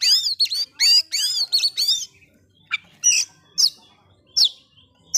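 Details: Oriental magpie-robin song used to rile up other magpie-robins: a rapid run of rich, arched whistled notes, then a pause followed by sharp, high, scratchy chips spaced about every half second.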